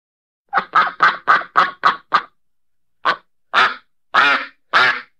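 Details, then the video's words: Six quick, clipped duck quacks in a tight run, a pause, then four longer, louder, drawn-out nasal quacks spaced about half a second apart. "TIẾNG VỊT KÊU QUẠC QUẠC 2024 (DUCK QUACK)"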